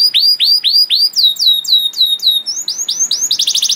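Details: Canary master song for training young canaries, with repeated rising-then-falling swooping whistles about four per second, shifting to higher notes and ending in a quick rattling trill.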